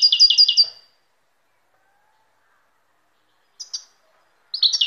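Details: Goldfinch song opening with a quick run of repeated, tinkling double notes under a second long, then a pause, a brief high chip, and a new twittering phrase starting at the end.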